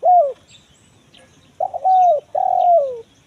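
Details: Lure recording of a spotted dove, 'kuk 1 mersik' type, meant to draw wild birds in the forest: a short falling coo, a pause, then two long mellow coos that drift gently downward in pitch.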